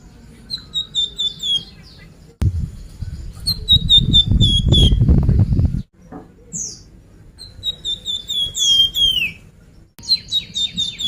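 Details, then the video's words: Sunda pied fantail singing, played as a lure to get other birds singing: three bright phrases of rapid high whistled notes stepping gradually downward, with a loud rustling, flapping-like noise filling the gap between the first two phrases. "suara pancingan burung flamboyan"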